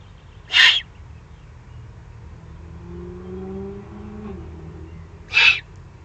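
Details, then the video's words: Eurasian eagle-owl young, excited, recorded in the Eifel, 21 June 2020: two short breathy hissing begging screeches about five seconds apart. A low engine-like hum rises between them. "Eifel Uhu, 2020-06-21, aufgeregte Junguhus."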